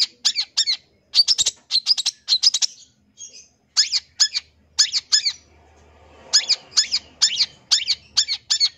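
A long-tailed shrike gives harsh, scratchy high notes in quick bursts of three to five, pausing briefly between groups; otherwise quiet.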